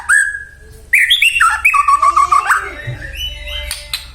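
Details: White-rumped shama singing to provoke other shamas: a rich, varied song of clear whistled notes, rapid rising and falling phrases and a fast trill, ending in softer scattered notes.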